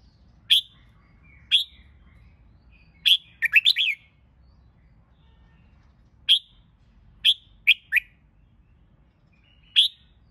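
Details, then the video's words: Red-whiskered bulbul kept for singing-competition training, giving single sharp chip notes spaced a second or more apart, with one short rapid burst of warbled notes near the start and a few paired notes later. "Chào Mào Hót Kích Bổi YẾU LỬA LÊN LỬA!.. Luyện Chào Mào Hót Đấu Căng."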